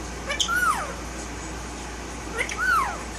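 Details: A one-year-old male violet Indian ringneck parakeet, a tail-less pet bird kept indoors, known for talking; two clear descending whistled notes with bright harmonics about two seconds apart, over a quiet room hum.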